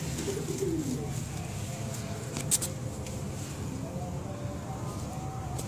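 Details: A red Indian Fantail pigeon gives low, soft cooing notes over a steady indoor hum, with a brief click partway through.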